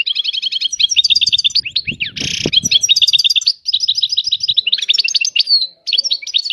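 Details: Continuous goldfinch song, high tinkling trills and twittered notes woven together, with a brief harsh rasping burst in the second second and a couple of short pauses.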